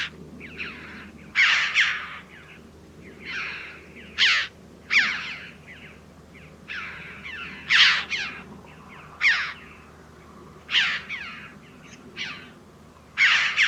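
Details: Red-billed Choughs (Pyrrhocorax pyrrhocorax) give a run of high, ringing, slightly harsh 'chee-ow' calls, about one a second, over a faint low background hum.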